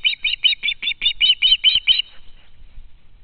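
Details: Fledged young osprey begging from a parent at the home nest on a live camera: a quick run of about ten sharp, shrill squeals in two seconds, then quiet.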